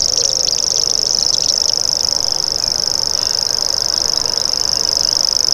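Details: Clear, clean reel of a common grasshopper warbler, a fine high buzzing trill sustained without break, a few bird chips early on, and little other background sound.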